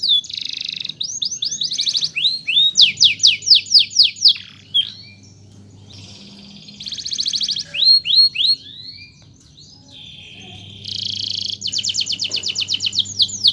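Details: Master canary song played to teach singing: bursts of fast buzzy rolls and curved whistled notes separated by short quiet gaps, phrases changing every few seconds, with a faint low hum at times.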